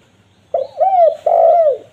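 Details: Loud, clean spotted dove call favoured for luring wild doves: a brief low hoot, then two drawn-out mellow coos, each swelling and then falling away.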